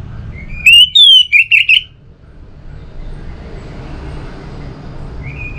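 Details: Orange-headed thrush lure song from Singaraja, North Bali: a brief burst of five loud whistled notes, the second falling, followed by steady low background hum and a faint whistle at the end.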